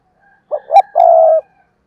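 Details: Spotted dove kept as a decoy, cooing to attract wild doves: a single low phrase of two quick, rough notes rising into a sustained, vibrating purr lasting about half a second.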